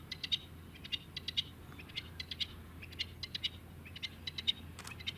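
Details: Male rock partridge met in the Rhaetian Alps, giving a steady series of sharp, clipped notes in small clusters about once a second, over soft wind noise.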